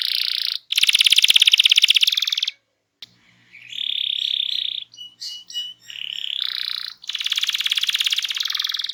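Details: Canary in full, energetic song used to coax silent birds into singing: dense, fast buzzy rolling trills held for seconds, broken by a short pause and a choppier stretch of brief chirps and slurred notes, then another long rattling roll.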